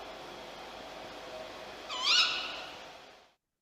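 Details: From a 1951 magnetic-tape recording made with a device built for a research group, a caged tawny owl in a theological institute garden, with a wild bird joining: one shrill, harsh call midway through, amid recorder noise before the tape cuts out.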